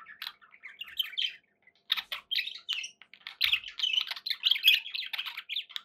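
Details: Captive budgies chattering continuously in a room, a rapid mix of tweets, buzzy trills and warbled notes that grows busier toward the end.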